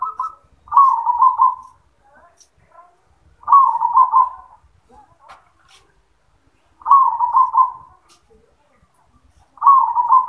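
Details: Zebra dove singing in the yoman style, repeating its rolling, pulsed coo four times at roughly three-second intervals. Each phrase is short and evenly pitched, with faint voices murmuring in the gaps.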